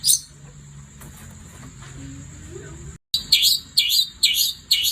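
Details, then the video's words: Night song of a long-tailed shrike: mostly a steady piercing whine with faint background hum at first, then after a brief break a quick run of loud, bright, high chirps roughly every half second. "Kicau Cendet Gacor Di Malam Hari"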